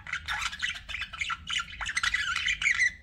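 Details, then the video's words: Budgerigars kept as pets warbling nonstop, a dense stream of buzzy chirps, clicks and squeaky whistled notes with no gaps; faint low hum behind. "BUDGIE SOUNDS"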